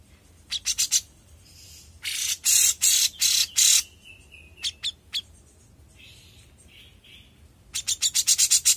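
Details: Young grey-cheeked bulbul delivering bursts of rapid, harsh chattering notes separated by pauses, with a thin gliding whistle and a few isolated chirps between them.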